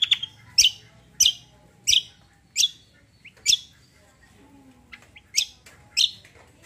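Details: Kecial kombo, also called cucak kombo, gives loud, sharp high chirps repeated roughly every half second to second, in its active tembak style.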